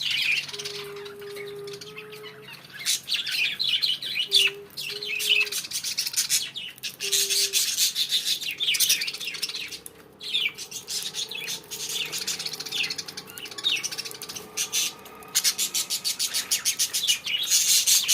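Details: Budgerigars given coriander leaves chatter with dense, high chirps and warbles, with a few low steady tones early on.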